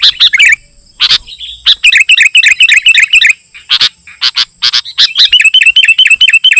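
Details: Sooty-headed bulbul song, used as a lure for wild bulbuls and as a tutor: warbled phrases and loud clicks, ending in a fast, even run of repeated chirps.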